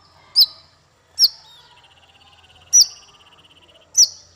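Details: Masteran tutor recording meant to train small fighter songbirds: four sharp, high downslurred chips spaced about a second apart, with a long, even, pulsed trill running beneath the middle stretch. Quiet background.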